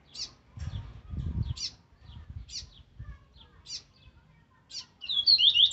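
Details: Rusty-collared seedeater delivering aggressive Viviti Zel Zel Laranjeira song for training: sharp, high, descending chip notes repeated roughly every second over faint low thuds, then a fast ringing phrase of whistled slides at the end.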